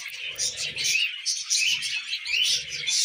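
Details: Pet budgerigars eating millet fill the air with rapid overlapping chirps and scratchy warbles, while faint low murmuring sounds in the background at times.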